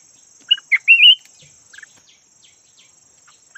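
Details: Caged decoy red-whiskered bulbul of the yellow variety giving a brief rich warble of rising notes, followed by faint ticking insects and a high steady tone.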